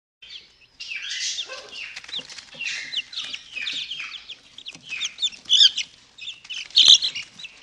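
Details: Two-week-old chicks let out of their brooder in the morning, eating mealworms; high, rapid peeps and chirps in overlapping bursts from several birds, with a few sharp louder cheeps.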